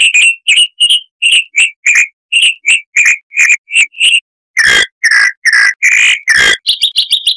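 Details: Cage-bird tutor recording of a chalk-browed mockingbird: brisk harsh chattering notes, then broad raspy churrs, ending in fast high chatter.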